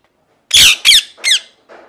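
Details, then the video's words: Parrot making three loud raspy squawks in quick succession, each bending downward, followed by a softer trailing note. "Parrot Chirping Sounds | Natural ParrotSounds | Parrot Calling Sounds"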